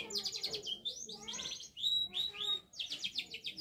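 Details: Canary in full, lively song while learning to shake its head: high, sweeping whistles and rapid buzzy trills that rise and fall, in bursts broken by short pauses.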